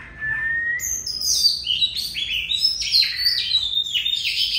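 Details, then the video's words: Oriental magpie-robin in long continuous song: bright, varied whistled notes that step up and down between high and very high pitches, clear phrases linked without pause, with faint low background hum. "Choè than hót dài đếm mỏ 1 hơi tới 15s"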